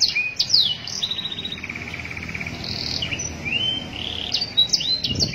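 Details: Canary song used as a master song for training, a varied run of high whistled notes, short buzzy trills and sweeping slurs held between mid and very high pitch, over a faint low background hum.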